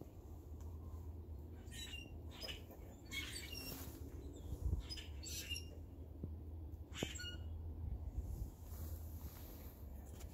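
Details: Grackles in a tree giving scattered harsh, squawky calls in short broadband bursts, a few seconds apart, over a steady low rumble of background noise.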